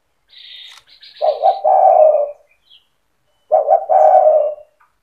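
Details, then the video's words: Spotted dove singing to provoke other doves into joining; two low cooing phrases with a long falling final coo, while a higher chirping bird calls over the first phrase. "Suara burung tekukur gacor cetretan bikin deruk tekukur derkuku balam lain emosi ikut bunyi"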